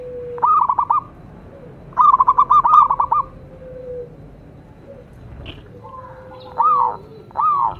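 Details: Indonesian local perkutut, or zebra dove, in song meant to stimulate other birds: quick trilled note clusters, then a few separate arched coos spaced about a second apart over quiet background.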